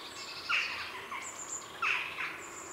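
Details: Grey heron calling at a heronry in the afternoon, close up: two harsh, rasping squawks about a second apart, with high thin whistles of other birds, jackdaws and a blue tit, in the background.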